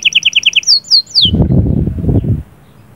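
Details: Canary singing to stimulate a female: a brisk high trill of repeated double notes and a few descending whistled slurs, then the song gives way to a second of low rustling and handling noise.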